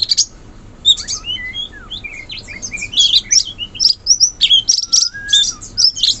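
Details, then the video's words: Forest-dwelling wild sooty-headed bulbul in a long, lively run of bubbly chirps and slurred whistles, some falling, some rising, with a steady low whistle late on. "Suara burung cucak cungkok asli hutan"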